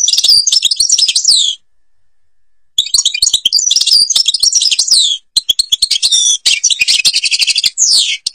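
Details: Babas forest Tiberli song of an Algerian European goldfinch: three phrases of quick tinkling twitters and sliding notes, the first set apart by a short silence.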